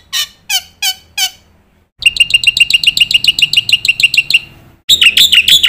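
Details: Black-winged myna master song meant for training young birds: four separate descending chirps, then a fast unbroken stream of chirping notes, and a final harsh chattering burst, with faint low background hum.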